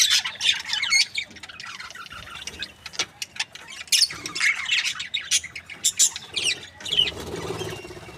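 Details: Breeding pair of Australian budgies, called happy, giving intermittent high chirps and short chattering phrases separated by brief quieter spells.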